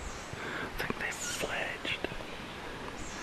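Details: A group of tawny owl chicks, heard late at night on a late-spring or summer walk, keep in touch and beg for food with soft, breathy, wheezing hisses in overlapping bursts, with a few faint clicks and rustles.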